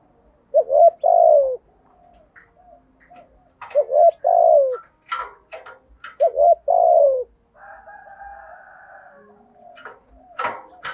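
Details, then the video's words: Spotted dove used as a decoy bird, cooing in the prized "giọng thổ" voice style: three low, mellow, hoarse coo phrases, each a short note followed by a longer drawn-out coo, with faint clicks and rustles between them. "Chim Cu Mồi_cu gay giong tho cuc dinh, thúc gù giọng thổ"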